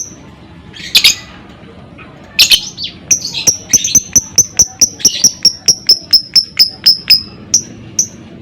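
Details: Lovebird in ngekek, used as a lure to make other lovebirds sing: two scratchy bursts, then a long, steady run of about eighteen sharp high ticks, roughly three per second, tapering to a final pair.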